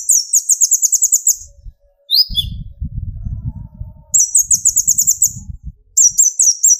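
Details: Sunbird called kolibri ninja, young speckled to full metallic bird, singing to provoke rival singing: long rapid trills of high, piercing, evenly repeated notes, a short slurred call, and a steady low rumbling noise underneath.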